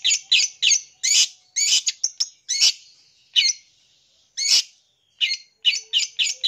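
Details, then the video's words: Long-tailed shrike song full of borrowed phrases, meant to excite young birds: loud harsh rasping bursts, some in rapid threes, separated by short gaps, with brief thin whistles between them. "PANCING SUARA CENDET FULL ISIAN"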